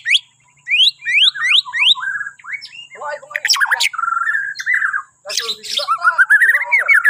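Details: Bornean white-rumped shama singing, used to prompt other birds in the morning: rising whistled slurs repeated in quick series, then varied warbled and harsh phrases with brief pauses between bursts.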